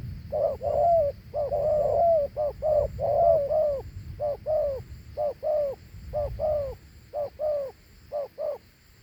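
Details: Dove cooing in the Thổ Hú manner, notes paired into a two-part coo; mellow, slightly falling hoots come in steady runs with short pauses, over faint low background noise.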